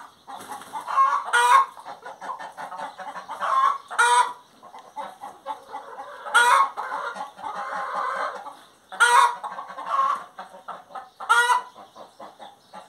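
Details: Hen singing over a long stretch, loud harsh squawks recur every two to three seconds, six in all, amid continuous softer clucks and a drawn-out nasal cackle mid-way.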